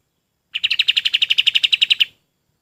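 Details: Golden-bellied gerygone song meant for training other birds: around seventeen sharp, even chirps repeated rapidly for about a second and a half, with faint low noise beneath.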